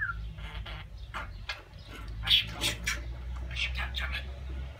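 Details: Pet talking budgerigar declaring love, compiled from its real sounds to prompt other budgies to speak; muffled rhythmic speech-like chatter with one bright squeak, steady low hum beneath.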